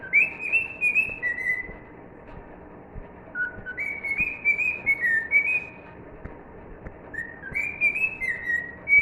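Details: Cockatiel kept as a pet, singing "If You're Happy and You Know It": three whistled melodic phrases of gliding, stepped notes, each a couple of seconds long with short gaps between, over faint indoor background hiss.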